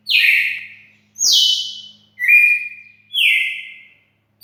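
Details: A red-cowled cardinal sings loud, pure whistles. Each phrase drops sharply, then holds a steady tone. Four full phrases come at an even pace of roughly one per second, and a fifth begins as the clip ends.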